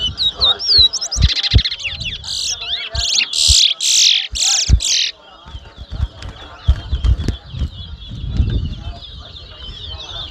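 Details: Competition towa towa (chestnut-bellied seed finch) at Mahaica, Guyana, 2022: quick whistled phrases, then a run of loud buzzy rattling bursts, then quieter twittering as crowd chatter and thumps continue.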